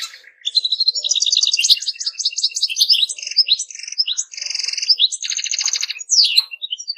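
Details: Continuous goldfinch song of liquid twitters mixed with buzzy trilled passages and rapid note runs, changing pattern every second or so, with brief pauses.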